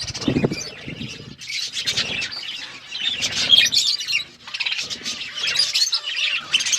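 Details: Eating budgerigars give rapid, rasping chirps and twittering warbles in several loud bursts, with a low thump and flapping near the start and a brief lull partway.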